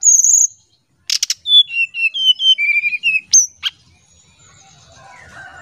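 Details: Oriental magpie-robin in the nyuling style, used as a lure sound: a long high whistle, clicks, then a rhythmic series of about ten clear falling whistled notes, a final upsweep, then quiet.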